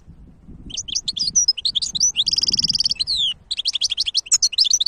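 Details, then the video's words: A goldfinch hybrid delivers energetic high-pitched song: rapid chirps, a rattling buzzy trill, a falling slurred note, then more quick twitters, over faint low background noise. "تغريد وابداع هجين الحسون ولا اروع"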